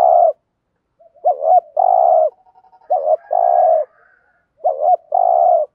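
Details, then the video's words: Spotted dove coos played to prompt other doves to call: three phrases of a looping hooked double note and a long rough coo, with faint stuttering soft notes between them. "cu cườm gù thúc bài bản giúp bổi rất xiếng gáy"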